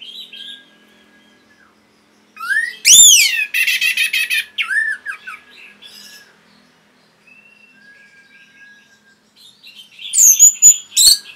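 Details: Orange-headed thrush singing on a training recording meant for caged birds. A soft, high warble gives way to a loud, steeply rising whistle and a harsh, rapid buzzy rattle. Quieter phrases and a final, sharp high flourish follow.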